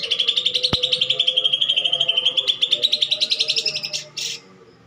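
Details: Harsh fighting song of a Greater green leafbird mimicking house sparrows: a rapid rattling trill of steady high notes for about four seconds, rising slightly at the end before ending in two brief chirps.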